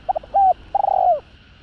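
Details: Spotted dove cooing to rouse rival males: three quick soft notes, a clear held note, then a long purring coo with a rolled start that falls away at its close, against a quiet background.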